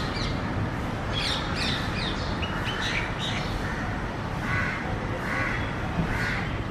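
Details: Common myna making assorted calls: quick high chirps early, then short grating squawks spaced about a second apart, over a steady rumbling background.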